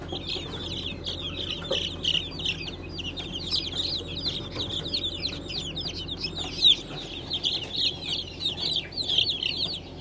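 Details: Many newly hatched Brahma chicks (Light, Gold, Blue) from an April 2020 hatch keep up continuous overlapping shrill cheeps, each a quick falling note, above a faint constant low hum.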